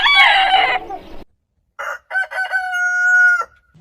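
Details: Rooster crow after a loud rough squawk: the crow has a few short clipped syllables, then a long steady note held for over a second that ends abruptly.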